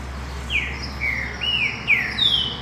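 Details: Wild-type green-winged saltator singing a clear, high phrase of five quick whistled notes sliding downward one after another, over a faint low hum.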